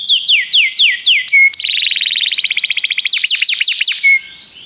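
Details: Canary opening with loud downslurred chirps and a short whistle, then a rapid rolling trill, a few deep sweeping notes, and another clear whistle.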